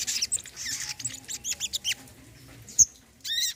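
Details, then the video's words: Brown-throated sunbird, played as therapy for a bird that has stopped singing: bursts of high, thin chirps and short twittered notes, then a sharp single note and a final buzzy trill. "TERAPI BURUNG SOGON KOLIBRI KELAPA MACET BUNYI"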